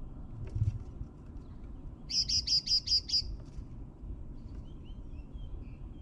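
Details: Great tits heard from an eleventh floor in Mariahoeve, The Hague, in May. A couple of soft ticks are followed by a clear series of six evenly spaced, sharp, buzzy notes, over a quiet background murmur.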